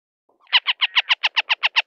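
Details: Northern harrier giving a rapid chatter: about ten harsh, evenly spaced notes delivered around six per second, each clipped and nasal, after a faint soft lead-in, with near silence around it.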